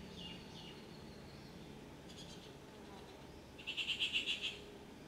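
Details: Rufous treepie giving a brief burst of about eight quick, evenly spaced harsh notes in under a second, after faint softer notes earlier, over a steady low background hiss.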